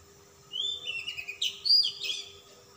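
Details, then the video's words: Oriental magpie-robin, locally kacer, of a calm type, in insistent display song with a rich fill. A rising whistled line runs into a quick tumble of higher warbled and chirping notes lasting about two seconds. "kacer ngotot ngobra isian mewah kacer Type dingin"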